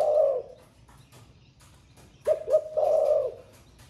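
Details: Spotted dove, 'thổ pha' voice, said to coo throughout the day: the tail of one long coo, a pause with faint clicks, then a full phrase of two short hoots and a drawn-out low note.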